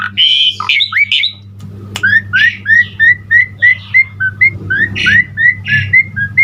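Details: Asian pied starling singing a full, varied song to lure other starlings into song: harsh opening notes, then a steady series of short upslurred whistles about three per second, with a faint background hum.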